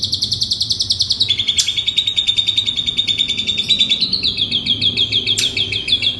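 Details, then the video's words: Training song of an Asian pied starling, meant to coax reluctant starlings into singing: a rapid, high, rattling trill that steps down to a lower level, holds steady, then climbs back up, with brief sharp accents. "JALAK SUREN Bongkar ISIAN ampuh, untuk MASTERAN dan PANCingan jalak SUREN MALAS bunyi"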